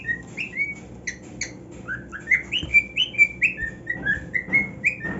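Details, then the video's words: Delighted with his new nest, a cockatiel sings flowing whistled phrases, notes sliding up and down about twice a second, with occasional clicks and faint rustling. "Cockatiel Singing on his New NEST"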